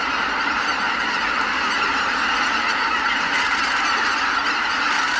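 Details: A large flock of Greater white-fronted geese lifts off together from their roost in a dense, unbroken chorus of high, yelping calls that blend into a continuous clamour.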